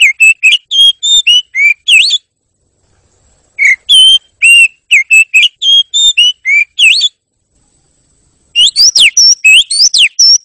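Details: Oriental magpie-robin song in three long bursts of varied whistled notes, some steady, some rising or falling. Quiet pauses of a second or two separate the bursts, and the final run is denser and more slurred.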